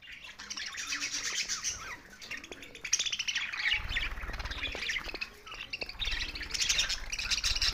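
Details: Budgies chattering together in a busy, continuous stream of high scratchy chirps and warbles, with a low rumbling background hum in the second half.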